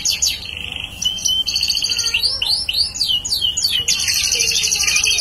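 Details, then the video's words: Bar-winged prinia in full song, being readied as a lure bird; sharp high chirps and a brief whistle give way to a rapid series of loud, sweeping, scratchy notes and a dense buzzy trill. "prenjak paud gacor calon pikat"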